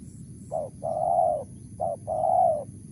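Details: A wild spotted dove calls in the Mersik style, two soft phrases of a brief low coo then a drawn-out mellow one, with a quiet pause between and faint low background noise.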